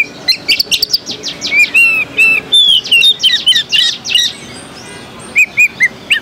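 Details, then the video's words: White-rumped shama, called kacer, singing at the Jakarta Cup 2015 songbird contest in Indonesia: a rich run of high whistles, rapid sweeping notes and trills, then short separated whistled phrases near the end, with faint background noise. "Suara Kacer Pringgodani"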